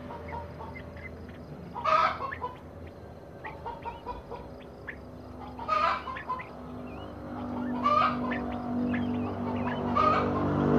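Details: Captive-bred crested partridges (Rollulus rouloul) give short, clucking bursts every two to four seconds, with soft whistled notes between them, over a steady low hum.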